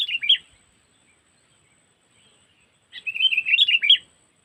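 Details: Sooty-headed bulbul (kutilang) lure call in the cengkeram style, used for trapping, linked to Lampung: a short bubbly chattering burst, then after a long pause a longer run of quick warbled, slurred notes, with no other sounds.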